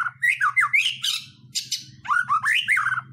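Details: White-rumped shama song meant to spur other birds into singing: rapid, slurred whistles sweeping up and down, broken by harsh squawky notes, over a steady low hum.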